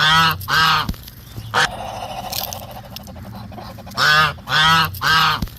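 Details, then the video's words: Muscovy ducks, apparently while eating, giving unusual loud nasal honks with rich harmonics, in a pair of calls, a pause with soft background rustling and a low hum, then a burst of three honks spaced about half a second apart. "Ducks making unusual sounds"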